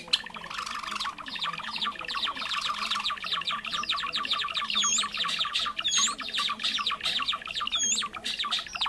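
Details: Lure recording of Java sparrow calls for trapping birds: a busy, unbroken flock chatter of rapid high chirps and clucks, with occasional louder sharp whistled notes rising above the mass in the second half.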